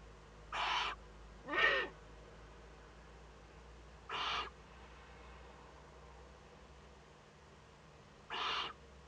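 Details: Eurasian eagle-owl chick in a monitored nest in northern Rhineland-Palatinate, Germany, 15 May 2013, during first contact with another owl: four harsh, airy hisses, two in quick succession, then two more spaced widely.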